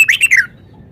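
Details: Red-whiskered bulbul kept in a cage, showing its repertoire in a brief phrase of four quick, loud warbled notes dropping in pitch, then quiet.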